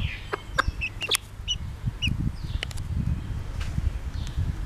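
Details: Pekin bantam mother hen, bobtail colour, with chicks: a few scattered clucks and brief high peeps from the young over a loud, low rumbling background.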